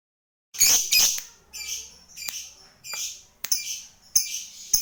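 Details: Lovebird of the fighter type, kept as a hobby bird, giving sharp high chirps in short bursts and paired notes with brief pauses. Used as a prompt so other lovebirds quickly start their long trill, called ngekek.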